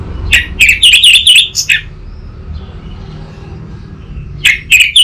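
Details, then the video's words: Orange-headed thrush lure song for a young bird in training: a fast run of ringing, chattering whistled notes, a pause, then another brisk burst at the end. "Pancingan dan Masteran Burung ANIS MERAH Bahan"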